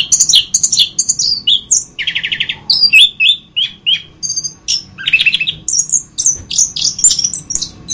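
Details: Varied orange-headed thrush song recorded as a master for training other birds: rapid chirps and whistles interrupted by two buzzy rattling trills, then high clear whistled phrases, all close and loud.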